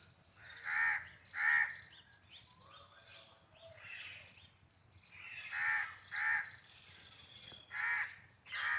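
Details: Peacock calling: loud nasal, harmonic wailing notes given in pairs about half a second apart, three bursts of pairs across the stretch, with softer chirping birds and faint downslurred whistles behind.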